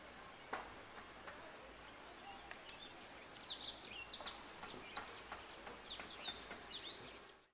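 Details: Cinnamon-chested bee-eater (Merops oreobates), Kibuye, Rwanda, March 2013, giving a run of short, high chirping notes in quick succession over the second half, with a few faint clicks and soft outdoor noise beforehand.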